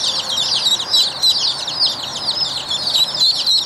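Rouen ducklings peep together in a dense chorus of high, thin chirps overlapping several times a second, with no other sounds.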